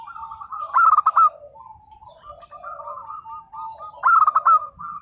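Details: Local zebra dove singing actively in the nembak manner: two loud bursts of quick staccato coos about three seconds apart, with quieter wavering cooing filling the gap.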